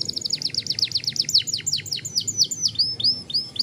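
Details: Young canary delivering a long roll: a fast, even series of steeply falling high notes repeated about four times per second, ending in several upward-curving whistles.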